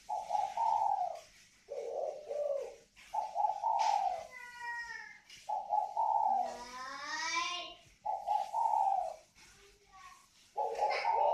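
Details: A pair of northern Vietnamese spotted doves cooing: low, rolling coos repeated in bursts about every one to two seconds, with a few rising harmonic whine-like sounds between them.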